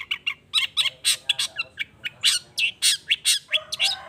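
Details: Long-tailed shrike in energetic lure song meant to spur other shrikes into answering, a rapid, dense run of sharp chirps, squawks and buzzy high notes, closely packed without pause over quiet background.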